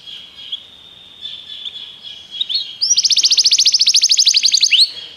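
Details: Belgian canary singing for training: faint steady whistled tones, then a loud, very fast, even trill lasting about two seconds over a quiet background hiss.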